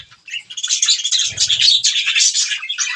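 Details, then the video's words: Budgerigars chirp steadily while eating green food, a continuous high twittering warble of squeaks and trills, with a short low buzz in the middle. "budgies green food eating | bird chirping sound"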